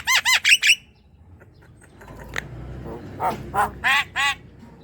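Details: Javan myna song meant to prompt a silent young myna to sing: a fast run of four harsh arched notes, a quiet gap with faint clicks, then four louder rasping calls spaced evenly.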